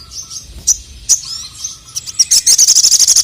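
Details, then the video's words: Male crested jay singing to provoke other males: scattered high chirps and a faint low tone, building into a rapid, evenly pulsed high rattle of about a dozen notes. "SOGON MANAPUN NGMAUK GACOR langsung emosi dengar masteran suara burung sogon jantan ini"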